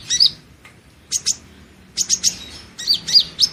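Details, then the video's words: Van Hasselt's sunbird, kept in a hanging cage for singing practice, gives bursts of thin, very high chirps and sharp twittering notes in quick clusters, separated by short pauses, against a quiet background. "Suara Burung madu pengantin (Leptocoma sperata) Kolibri Ninja Konin Latihan Gacor Gantang"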